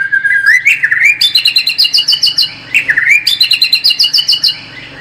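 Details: White-rumped shama song played as a lure for a more combative bird: a clear whistled opening, then lively twittering with rapid staccato high notes, repeated twice.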